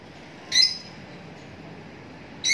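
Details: Two harsh, high-pitched lovebird squawks, one near the start and another at the end, separated by a pause of about two seconds, against a low steady background hum.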